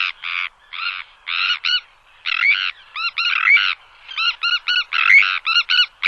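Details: Sandwich terns in the Odiel Marshes, Huelva, Spain, giving harsh, grating two-part calls in quick, irregular bursts.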